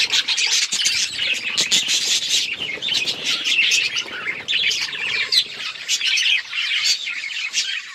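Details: Busy budgerigar chorus of quick twitters, squeaky chirps and raspy warbling, steady throughout, with faint low rustling beneath.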